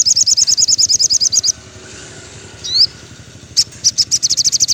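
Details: Afternoon song of a sogon (crimson sunbird): a rapid, evenly spaced trill of thin high notes, a pause with one slurred upward note, then the quick trill returns.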